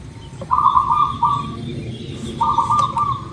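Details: Local zebra dove song, meant to prompt birds to sing fast: two rolling, trilled coo phrases, the first longer with a brief break, over a soft low rumble and faint distant chirping.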